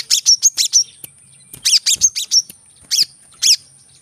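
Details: Brown-throated sunbird in lively, rapid-fire song meant to spur birds reluctant to sing: quick runs of piercing, high chirps in tight groups of four or five, then single sharp notes, with a thin steady high whine behind.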